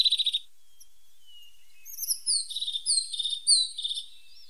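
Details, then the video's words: Song of the pointed, or sharp-nosed, tit: a brief buzzy trill, a long pause, then a flowing string of high downslurred whistles and chirps. "The sound of a pointed tit 's voice"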